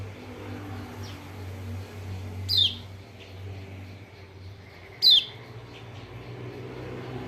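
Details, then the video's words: White-eye call, local name kecial kuning, played as a lure for a reluctant bird: two high, thin, falling chips about two and a half seconds apart amid a quiet low drone. "PANCINGAN TERBAIK BUAT PERANSANG KECIAL KUNING MALAS BUNYI ( burung pleci lombok)"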